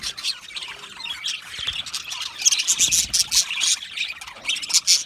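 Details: Australian budgies chirping together, a content flock sound: a constant bright wash of rapid high chirps and twitters with louder peaks in the second half.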